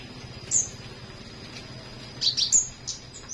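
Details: Flowerpecker singing in the morning, giving a lone piercing high chirp, then a tight burst of three or four rising notes near the end.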